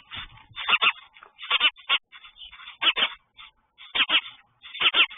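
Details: Mother sparrow at her nest with chicks, chirping aggressively in territorial defence as another sparrow comes close; loud harsh chirps in quick clusters of two or three, with short gaps between bursts.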